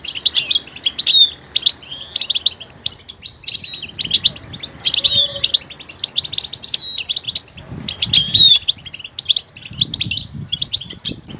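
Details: Goldfinch song of rapid twittering phrases with liquid, swooping notes and brief pauses between bursts, continuing for about eleven seconds over soft low background rumble.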